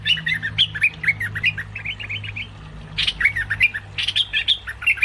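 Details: Cream-vented bulbul calling as a trapping lure: quick runs of bubbly, up-and-down chirps, a short quiet gap, then harsher, louder chattering notes, over a faint low hum.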